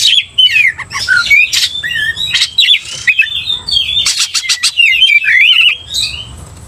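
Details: Agitated Oriental magpie-robin singing after being provoked by another bird: dense run of warbled whistles and quick slurred notes, interspersed with sharp harsh bursts, nearly continuous for several seconds.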